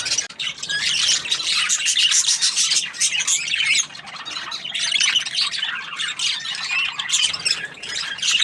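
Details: Budgerigar chirping happily, a continuous busy warble of rasping and squeaky notes that dips briefly near the middle, then resumes just as thickly.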